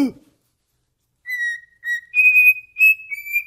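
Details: Pet cockatiel, indoors, singing at its owner's foot. A short click, about a second of silence, then a series of clear whistled notes that step up from lower tones to longer, higher sustained whistles.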